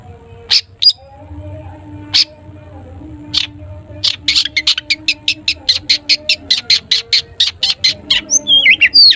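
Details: Long-tailed shrike in full toet toet song, played to prompt other shrikes to answer; scattered sharp notes give way to a fast steady series of short clipped notes, closing with a twisting whistle, over a low background hum.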